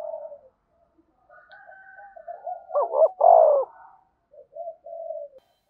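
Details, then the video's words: Spotted dove used to prompt a newly caught dove to coo: a single loud phrase, two quick notes then a long falling coo, amid soft low notes and a faint higher steady tone. "tieng cu gay kich boi nhanh noi, thúc bổi nghe nhại gáy"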